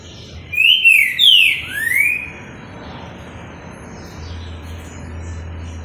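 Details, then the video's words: A green-winged saltator, a highly rated singer, gives a short phrase of loud, clear whistled notes that slur up and down, followed by a steady low hum. "Esse trinca tem TALENTO"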